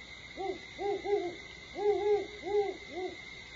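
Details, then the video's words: Great horned owl calling at Starr Ranch on 21 September 2011 at 4:30 AM: a run of soft, low hoots, some clustered and overlapping, in a stuttering rhythm over a faint steady high tone. "Great Horned Owl Calls"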